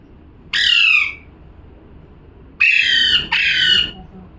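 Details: A single raspy parrot squawk, quiet for over a second, then two more harsh squawks close together.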